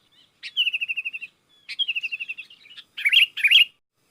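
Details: Sooty-headed bulbul calling wild bulbuls, which join in. Two rapid even trills of evenly spaced notes, each opened by a sharp note, followed by two louder bubbly chirped phrases.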